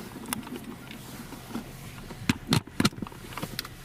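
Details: Vehicle hum with scattered clicks and knocks is heard, and no animal voices.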